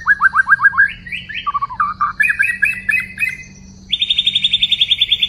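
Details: Wild White-rumped shama recorded during trapping on 12/12/2016, singing loudly: a run of falling whistled notes, slurred rising and dipping phrases, then a fast, even series of repeated clear notes, with a low hum underneath.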